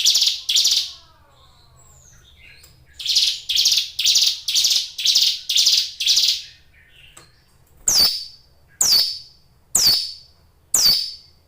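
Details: Caged Hill Prinia singing vigorously: two buzzy bursts, then a fast run of seven rasping buzzy notes, followed by four sharp, high, downslurred notes spaced about a second apart.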